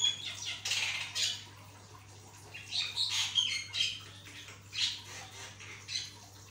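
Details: Singing Javan myna, kept to prompt other mynas into song: loud rasping squawk bursts repeated rapidly in groups with short gaps between, over a faint electrical hum.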